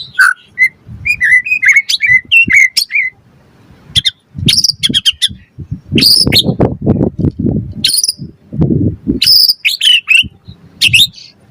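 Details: White-rumped shama song to provoke other birds into singing: lively whistled phrases and high chips mixed with lower rumbling noise through the middle.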